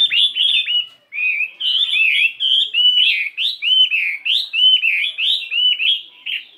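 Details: Chinese hwamei of the fighting type, 72 grams, kept in a cage and practising its voice in the morning: clear looping whistles repeated in short bursts, each slurring down then up, steady and loud throughout.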